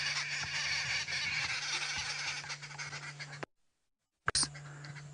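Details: Arrow-marked babblers babbling in a loud, harsh chorus of overlapping grating notes near a waterhole on the western fringe of Kruger National Park, South Africa, on an afternoon drive, 15 Aug 2016, at 26°C. Low vehicle hum beneath; the sound briefly drops out.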